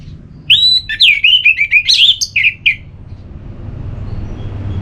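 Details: Ngeplong-style song of an orange-headed thrush, played to get another bird singing: a quick run of loud, looping whistled notes lasting about two seconds, then only low background rumble.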